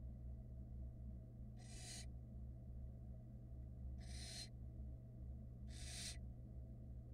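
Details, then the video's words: Barn owl nestlings on a Florida nest cam utter three spaced, breathy rasping hisses, each under half a second, about two seconds apart, over a quiet low hum. "Barn owl nestling choir"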